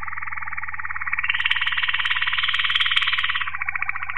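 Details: Waterslager Malinois canary from 2018 delivering a dense, bubbling rolled trill that rises slightly in pitch midway, then settles. Faint clicks sit above it and a steady low hum runs beneath.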